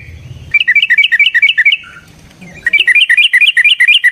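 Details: Yellow-vented bulbul, fighting song to provoke a rival: two fast runs of liquid, bouncing notes alternating up and down, separated by a short pause with a soft low note.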